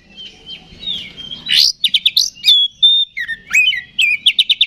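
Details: Oriental magpie-robin song intended to trigger an aggressive response: soft warbling at first, then loud piercing whistles, rising slurs and a quick series of sharp repeated notes at the end.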